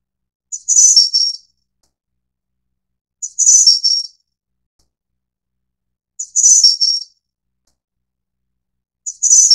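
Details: Snowy-browed flycatcher of the Taiwan-endemic subspecies Ficedula hyperythra innexa, a bird of mid- to low-elevation forest, giving very high, thin, tinkling phrases under a second long, repeated about every three seconds against a quiet background.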